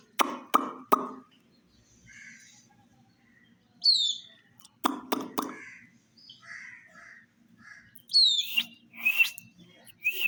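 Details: Domestic chicks drinking water in summer. Scattered high, falling peeps and short chirps mix with bursts of sharp tapping or knocking, like beaks striking a water dish.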